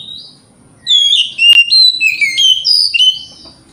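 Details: A white-rumped shama bursts into a fast phrase of clear, ringing whistles and slurred notes with one sharp click, played to provoke other shamas into responding; a low murmur sits underneath.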